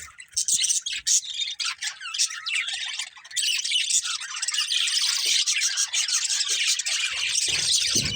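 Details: Budgies in a breeding pair warble steadily, an unbroken stream of high, fluttering chirps and squeaks that grows fuller and more constant toward the end.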